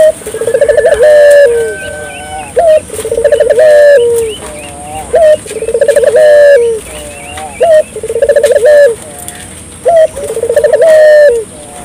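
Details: Vigorously calling domestic puter dove, used as a lure to stimulate local puter doves to call: loud, low cooing phrases repeated about every two and a half seconds, each a short rising note followed by a rolling, stuttered coo, with faint chirps behind.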